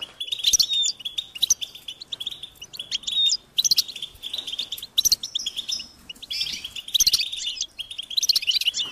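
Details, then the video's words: European goldfinch chicks giving high-pitched, insistent begging calls to be fed by parents: dense runs of short thin chirps, with bursts of brighter twittering notes every second or so and sharp clicky ticks. "unique experience in stimulating goldfinch and chirping birds"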